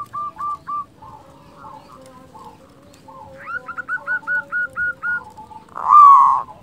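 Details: Local zebra dove in steady song, used as a master bird and lure to provoke and arouse other doves: a run of short clipped cooing notes, a fuller staccato series after a pause, ending in one loud drawn-out note.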